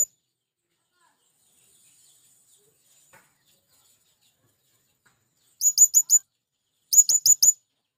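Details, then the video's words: After a long near-silent stretch, a male blue-crowned hanging parrot calling to attract wild birds gives two brisk bursts of four shrill, very high chirps about a second apart. "Burung Serindit Jantan Memanggil Kawan||ampuh memanggil serindit liar"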